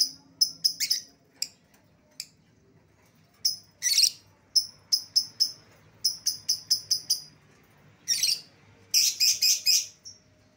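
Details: Escaped-lovebird lure: high, piercing chirps in uneven clusters, some singles, some quick runs of four or five, with two brief harsh screeching bursts.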